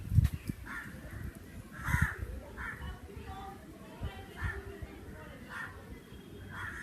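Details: Crow cawing repeatedly, harsh short caws spaced about a second apart, with a strong low rumble and thumps underneath.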